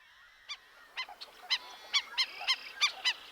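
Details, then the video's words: A flock of black-necked stilts at a wetland edge in Montana wheat country, early June, pre-dawn, calls sharply: nasal yapping notes, about ten in three seconds at an uneven pace, several birds overlapping, over a faint hum. "At one edge of the wetland, a flock of black necked stilts is calling sharply. [Laughter]"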